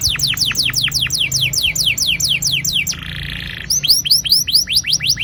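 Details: Domestic canary singing a long rolling training song meant to get young canaries singing: rapid series of descending sweeping whistles repeated several times a second, a short buzzy trill midway, then more falling sweeps.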